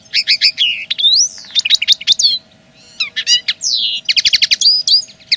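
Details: Common linnet song, a pure territorial claim, made of lively twittering, ringing whistles rising and falling, and quick trilled series, with one brief pause near three seconds; a faint steady hum underlies it.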